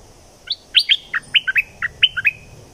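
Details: Bulbul from southern Thailand, a recording for exciting birds for trapping: a quick bubbly phrase of about eight short, rich notes that jump between low and high pitches, over quiet background hiss.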